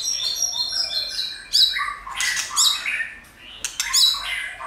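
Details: White-rumped shama singing to stimulate and train other shamas: a dense, rich run of quick high chirps, slurs and raspy bursts, with brief lulls between phrases.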